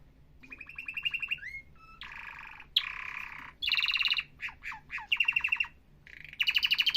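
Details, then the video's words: Professional canary song: varied bursts of buzzy, rattling trills alternating with short, sharp down-slurred whistles, separated by brief pauses, over a soft low background hum. "تغريد كناري احترافي"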